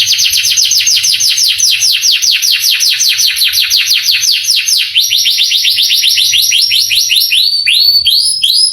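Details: Canary training song to make young canaries emotional and sing: long series of quick falling chirps in rapid rhythm, slowing into spaced sweeps with fine high trilling above.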